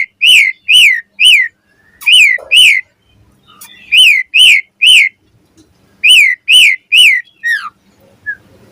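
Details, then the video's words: Asian pied starling morning song meant to prompt starlings to sing: groups of three loud arched whistles separated by quiet pauses, with a soft descending note near the end. "Suara Jalak Suren Gacor Ampuh & Efektif Pagi Hari Buat Pancingan Burung Jalak Agar Gacor Full Isian"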